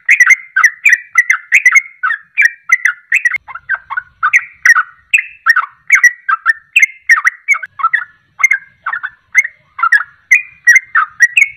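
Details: Rapid 'ropelan' song of a sooty-headed bulbul, used to provoke birds into singing: a dense, unbroken stream of chirpy, slurred whistles repeated about twice a second for the whole stretch.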